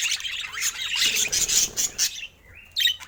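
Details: Pet budgerigar chatter: a burst of harsh, high squawks and chirps that stops abruptly, then a short whistled note and a final squeak.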